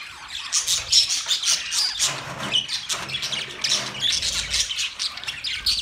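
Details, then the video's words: Budgerigars, the Australian parrots, in a busy chirping chorus of bright, piping whistles and rasping squawks overlapping constantly, with a faint low rumble underneath. "Beautiful Australian parrot Budgies chirping sound Parrot sounds"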